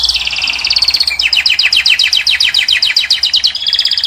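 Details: Caged Moroccan European goldfinch singing to attract the female: a fast series of bright, tinkling, downslurred twittering notes repeated about two or three times a second, opening with a sustained high trill, with no other sounds.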